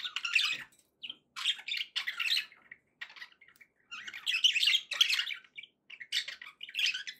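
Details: Pet budgerigars giving happy calls: bursts of scratchy, buzzy warbling and chirps in short runs separated by brief pauses, the chatter high-pitched and harsh, in a quiet room.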